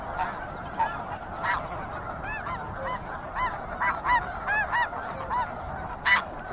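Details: Snow geese calling from a flock: distinct, harmonic-rich honks come in quick irregular bursts, roughly one to two a second, over a quieter murmur of more distant birds.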